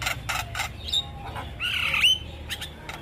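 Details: Javan myna song recorded as tutoring material for young birds: harsh noisy bursts, a short thin whistle, then a long buzzy rising note ending in a high clear whistle.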